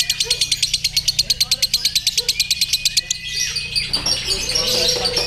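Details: Lovebird at a singing competition pouring out rapid shrill chattering pulses for three seconds, then breaking into a looser, noisier jumble of notes alongside other contest birds.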